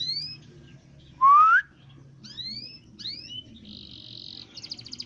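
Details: Canary singing in short separate phrases: high sliding whistles that rise or fall, one louder rising whistle, then a fast buzzy trill and a run of quick repeated notes, over a faint low hum.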